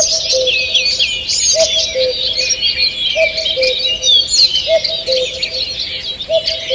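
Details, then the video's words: Birds singing in a forest in the morning, recorded 2 June 2023. Many overlapping high chirps, warbles and whistled trills form a continuous chorus, and a lower, short note repeats about every second and a half. "Утреннее пение птиц"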